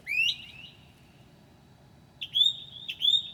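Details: At 2 a.m. on 7/9/2008, a northern mockingbird in its mimicking night song gives a sharp upslurred whistle with a trailing note. A pause follows, then two high, harsh rising notes.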